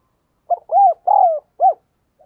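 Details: Spotted dove cooing as a lure to stimulate and excite males: a clear, loud phrase of a short stuttered note followed by three low, hollow, arched coos, the third longest, against silence.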